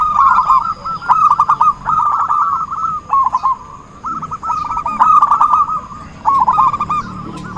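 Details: Zebra dove calling vigorously, sound played as a lure to trap the species: groups of quick burry coo notes, each phrase about a second long with short gaps, at a level mid pitch, with occasional sharp clicks.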